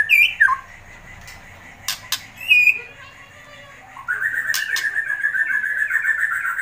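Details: White-rumped shama, excited, giving kretekan: a few sharp whistled notes and clicks, a quiet gap, then a long fast buzzy trill held at an even pitch.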